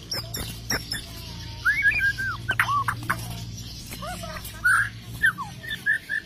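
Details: Bornean white-rumped shama in breeding condition, singing ngelowo style while pecking at a hand: scattered clear whistled notes, some rising and falling, between dry clicks and taps, over a low steady hum.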